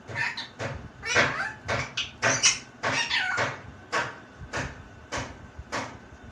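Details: Pet talking parrot repeating a short Bengali phrase in clipped, speech-like syllables with raspy bursts, about a dozen separate utterances over several seconds, with faint household background noise.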